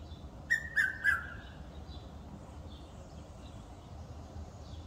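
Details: A Red-chested Cuckoo (Piet-my-vrou) on a wildlife estate in Eastrand, Johannesburg, South Africa, gives one quick phrase of three loud, clear whistled notes, each a little lower than the last, then falls silent over a low background rumble.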